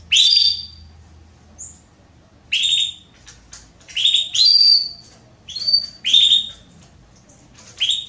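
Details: Calling to solicit mating, a female Belgian canary gives bright chirps and clear whistled notes in quick, uneven bursts, some doubled, across the clip.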